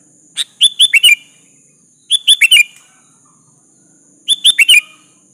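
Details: A vigorously singing sooty-headed bulbul calling out a rival: three bursts of four to five bright, bubbly notes, each a little under two seconds apart, against a steady high hiss.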